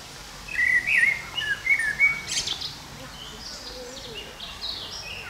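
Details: Common blackbird (Turdus merula), song.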